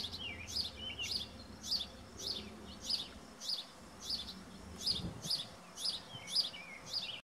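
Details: Nestling house finches calling from a nest high in a spruce, recorded 06-09-17: insistent high squeaking begging notes, around twelve repeated at a fairly even pace, with faint low rumbling noise beneath.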